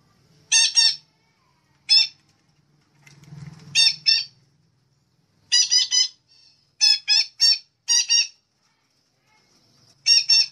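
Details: Red-breasted parakeet lure call made of loud, rasping, harmonic squawks in bursts of two to four, repeated across the stretch with brief pauses and a low rumbling noise near the middle.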